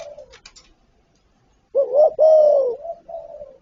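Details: Spotted dove cooing: a fading coo at the start, a pause, then a wavering two-part coo with a drawn-out tail and a softer trailing note.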